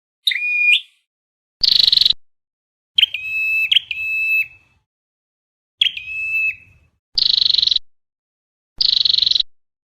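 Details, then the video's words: Flowerpecker with a red head, a recording meant to lure birds into traps. Steady whistled notes that end in a sharp flick mix with harsh pulsed buzzes, about seven phrases in ten seconds. "Tiếng chim sâu đầu đỏ âm thanh chuẩn bẫy là dính"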